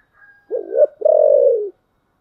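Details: Loud, clear 'giọng thổ' style cooing from a spotted dove. A faint soft note comes first, then a quick wavering coo and a long, even, low coo that tapers off. There is little background noise.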